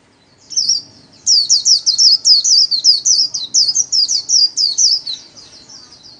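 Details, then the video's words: Pet white-eye performing the Vietnamese 'líu' song, solo, for daily practice: a steady, fast string of warbled high twitters running for about five seconds, each phrase a quick wavering sweep. "KHUYÊN LÍU SOLO RẤT HAY - LUYỆN KHUYÊN LÍU MỖI NGÀY"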